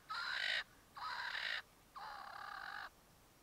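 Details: Swainson's spurfowl calling in early morning sun near Satara Rest Camp, Kruger National Park, South Africa: three loud, harsh, grating notes about a second apart, each rasping and crow-like, the last drawn out longest.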